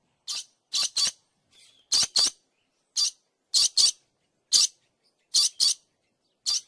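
A dusky lory gives harsh, high screeches, often in quick pairs, about every second; the background is otherwise quiet.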